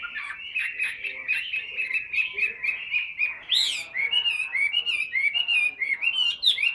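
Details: Continuous warbling whistles from a tame caged Chinese hwamei that sings heavily, short looping notes strung together without pause, one loud upward-swept flourish near the middle.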